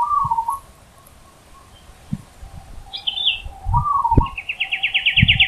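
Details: Zebra dove in the wild giving two brief trilled coos about four seconds apart. Other birds add a high chirp and a fast, rising, buzzy trill, and soft low knocks sound throughout.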